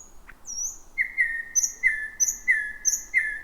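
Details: Night song of a thrush nightingale in overgrown bushes: steady flat whistled notes repeated about every third of a second, each paired with a higher thin whistle above.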